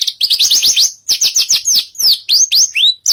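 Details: Australasian bush lark (branjangan) singing hard on a stage: a fast rattling string of high downslurred notes, then varied sweeping whistles and chirps, some rising and some falling, packed closely together with almost no pauses.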